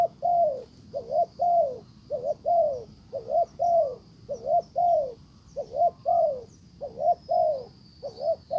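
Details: A decoy spotted dove coos to lure a wild dove, which stays away; evenly repeated phrases of quick double notes and long falling coos in a low mellow voice, with a faint high hum behind.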